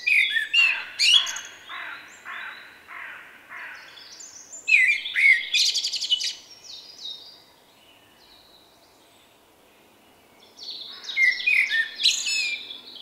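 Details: Common Blackbird with a distinctive song, recorded 30 March 2024: rapid fluted notes and squeaky flourishes in two phrases, a silent stretch of about three seconds, then a final twittering phrase.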